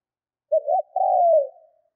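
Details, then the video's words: Spotted dove kept as a decoy bird, in training, cooing to provoke wild doves: a short low note, a quick second note, then a longer smooth coo sliding downward and fading. Nothing else heard. "Chim cu gáy mồi Thúc - Gù hay kích bổi"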